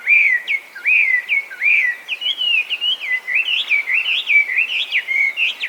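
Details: Feral Chinese hwamei, an invasive alien bird in Japan, sings loud, beautiful slurred whistles, first spaced upward-swooping notes, then a denser tumbling stream of varied phrases.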